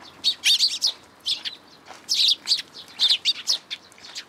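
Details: Fledgling sparrow visiting a plum tree at a shrine to be fed in June 2022, giving dense bursts of shrill, rapid chirps in clusters with brief pauses between groups.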